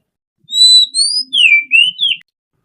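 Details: A kacer, or Oriental magpie-robin, sings a short, relaxed phrase of pure whistles: two long rising notes, then several swooping slurs that glide down and up again, with no background noise.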